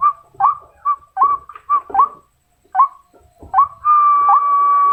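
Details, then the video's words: White-breasted waterhen female calling males with short, abrupt upward-flicking notes in irregular bursts, then a long steady whistled tone at the end. "นกกวักตัวเมีย ร้องเรียกตัวผู้ ร้องดีเสียงชัด"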